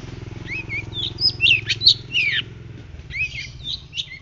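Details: Tutor recording of a white-breasted shrike known locally as 'pentet laut', singing vigorously. Short twisting whistles and chirps come in clusters, then a pause and a second burst, over a steady low engine-like rumble.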